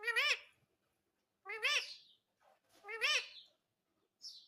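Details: Ringneck parrot from India uttering three separate wavering, speech-like phrases about one and a half seconds apart, each rich in harmonics, with a faint chirp at the close.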